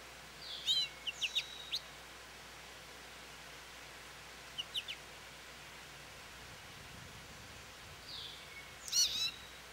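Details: American goldfinch at a feeder calling for attention: a rapid string of high, twisting chirps, then a soft pair midway, then a louder wavering chirp burst at the end, with light background noise.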